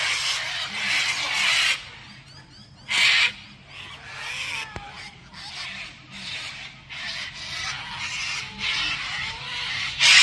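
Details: Cockatoo giving harsh, raspy screeches in loud broadband bursts, some lasting over a second, repeated irregularly with shorter quieter squawks between them.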